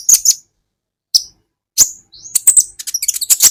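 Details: Olive-backed sunbird (kolibri ninja) from an Indonesian masteran for teaching songbirds: three separated sharp high chirps, then a short rising whistle leading into a quick jumble of squeaky twittering notes.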